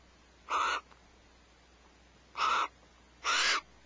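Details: Wild barn owls at Starr Ranch sharing a vole just before 5 am on 1 January: three harsh, hissing screeches, each about a third of a second, with a long pause after the first and a shorter gap before the last.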